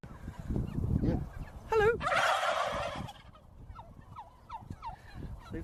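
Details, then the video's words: Turkey breaking into a loud rattling gobble after a wavering note, with low background chatter and short rising chirps afterwards. "Suara Ayam Kalkun Lucu"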